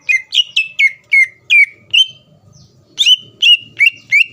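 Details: Greater green leafbird song aimed at stirring up rivals: evenly spaced, ringing whistled notes, each a quick sweep settling on a steady tone, roughly three per second, with a faint low hum behind.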